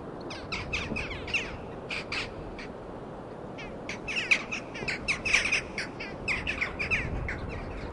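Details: Several seagulls at the beach give harsh, squawking calls in quick, overlapping bursts over a steady low roar of waves and sea breeze.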